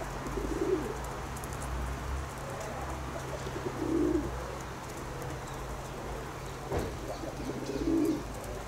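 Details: Pet pigeons cooing: three soft, low, rounded coos spaced about four seconds apart, with a steady low hum running underneath.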